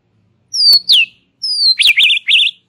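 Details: White-rumped shama giving relaxed song suited to prompting young and forest-caught birds: two high whistles sliding downward, a pause, then a long descending whistle and a wavering, zigzag warbled phrase, with sharp clicks between notes.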